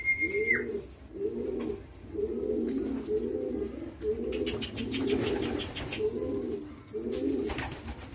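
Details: Young homing pigeons being fed by hand and taught a whistle keep up a steady series of soft, arched calls, roughly every three quarters of a second. A short human whistle opens, with pecking clicks.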